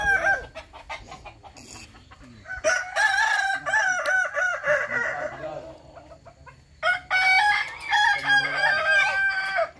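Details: Kukuak Balenggek roosters crowing at a practice contest in Sawahlunto. Two long crows each run through a string of quick undulating, stepped syllables, with a quieter stretch between them and other birds faintly overlapping.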